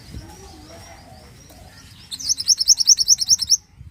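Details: Pied bushchat singing vigorously, recorded as a master song for training songbirds: after soft scattered chirps, a rapid run of about eleven high, sharp upslurred whistled notes, roughly eight per second, ends abruptly.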